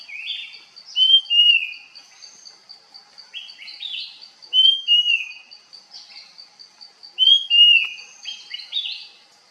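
Puff-throated babbler giving clear, slurred whistled notes that fall in pitch, in short phrases about every three seconds, over a steady high insect drone.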